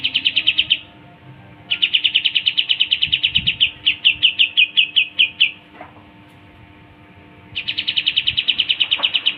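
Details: Pied triller song used as a training recording: three bursts of rapid, pulsed high notes, the middle burst with slightly varied, separated notes, over faint low background noise.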